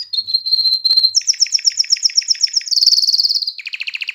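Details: Canary song used to stimulate breeding females and motivate young birds to sing: a level whistled trill, then evenly spaced sharp chips, a very rapid high buzzy trill, and a lower, steady, pulsed rattle.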